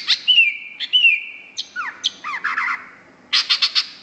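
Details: Cucak hijau, the greater green leafbird, singing gacor: level whistles, downward-swooping notes and a run of harsh buzzy pulses near the end.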